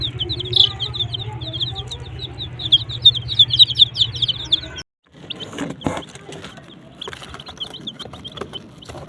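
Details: Desi chicks kept with a hen under heating: dense shrill peeping with a low hum for about five seconds, then a short cut to a quieter scene of faint peeps and clattering sounds.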